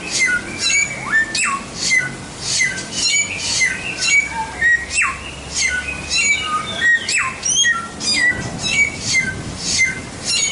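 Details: White-rumped shama singing a tutor song for training songbirds: rapid varied phrases of rising and falling whistles, sharp high chips and rolling notes, running almost continuously with few gaps.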